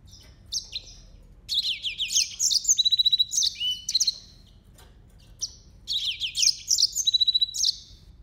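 A yellow-fronted canary sings two bursts of bright, high, rapid twittering with sweet slurred notes and quick buzzy trills, each lasting a few seconds.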